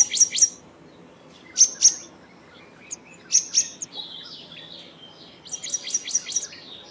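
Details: Black-naped monarch giving sharp, high, harsh paired notes, about three pairs spaced a second or more apart, then a quicker burst of short chips at the end; quiet background.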